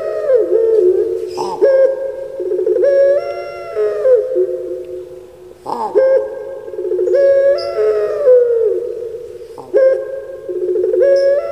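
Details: Kept puter pelung turtle dove from Java, Indonesia, sings its famous echoing voice: sustained tonal coos that hold, jump up in pitch, then slide down, repeating roughly every four seconds under strong reverberation.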